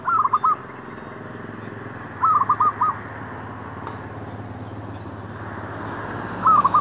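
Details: Zebra dove calling near shops while wild doves are lured with a decoy bird; short bursts of soft trilled cooing notes, each phrase of about four quick pulses, repeated every two seconds or so over a steady hum.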